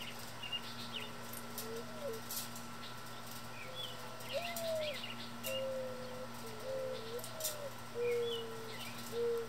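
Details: Several mourning doves cooing in a backyard while eating fallen seed under feeders, some chasing one another: repeated low mellow coos with short rising inflections, roughly one a second, over steady hum, scattered high chirps and sharp clicks.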